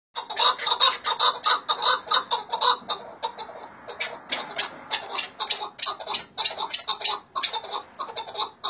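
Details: Chukar partridges from Hakkari and Dersim giving a long series of harsh, clucking chuk notes, roughly two to three per second, uneven and partly overlapping as if more than one bird is calling; no other sounds stand out.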